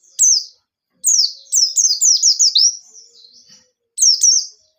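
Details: White-eye in energetic wild-style song, recorded as a lure for untrained birds: shrill descending whistles, then a quick chain of five or six falling notes trailing into softer twitter, then another sharp pair.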